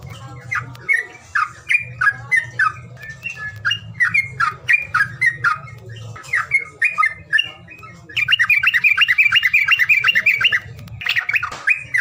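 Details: Lure calls of an unnamed bird: rapid series of harsh, chirping squawks repeated almost three times per second, louder and denser in the final third, over a low background hum.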